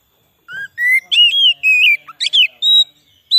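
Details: White-rumped shama song used to attract wild shamas: varied whistles, some low and rising, others long and level, with a few sharp higher notes between.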